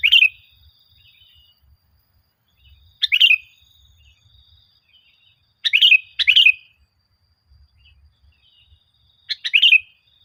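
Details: Sooty-headed bulbul singing energetically, meant to get caged birds singing: five quick gurgling phrases in irregular bursts, two close together, over quiet low knocks.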